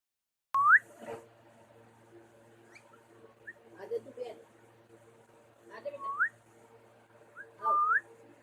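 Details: Two pet parrots calling: clear rising whistled sweeps, each about a quarter second, at the start and again near six and eight seconds, with a soft murmur of chatter between them over a steady low hum.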